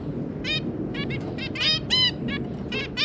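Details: A zebra finch pair with three juvenile offspring, 2 August 2022: a fast run of nasal, buzzy stacked notes, several per second, forming an energetic chattering song over faint background rumble.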